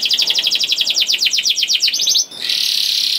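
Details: Young canary singing to set other canaries singing: a rapid trill of sharp notes, about four per second, that quickens and slides lower, then a steady buzzy roll.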